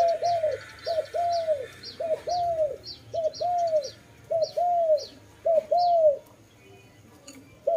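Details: Dove giving a steady run of low coos, each a short note followed by a longer arched one, repeated roughly every second, with a faint high squeak over each phrase.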